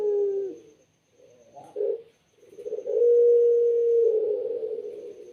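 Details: Pet Barbary dove praised for its clear, melodious voice. It gives a short dropping coo, then a soft low note, then a long sustained coo of several seconds that ends in a trembling purr. The background is quiet.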